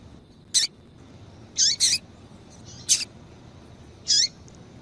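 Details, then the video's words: Female double-collared seedeater used by breeders to stimulate males, giving a series of high, short call notes: a lone chip, a quick double note, another sharp chip, then a final slurred note, spaced over nearly five seconds, with a quiet background. "Fêmea de Coleiro piadeira Para Esquentar coleiro"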